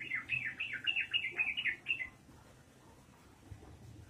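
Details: Lively ropelan song of a yellow-vented bulbul: about two seconds of rapid, bubbling whistled notes, each a quick up-and-down slur, then the bird falls silent leaving faint background hum.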